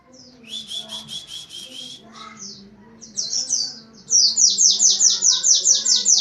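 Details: Oriental white-eye in 'nembak rapat' style: a buzzy rattling series at first, then accelerating to a loud run of very high, evenly repeated slurred notes, over a faint low hum.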